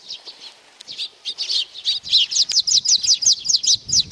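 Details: Sparrows arriving for food at Tenmangu shrine, Nakanoshima, 7 June 2020: a fast series of loud, sharp chirps, about three per second, growing busier toward the end.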